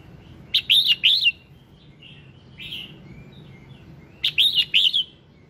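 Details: Red-whiskered bulbul singing in the morning, played to prompt other bulbuls to sing; two short bursts of three bright, warbled whistled notes about four seconds apart, with a softer lone note between, over faint low hum.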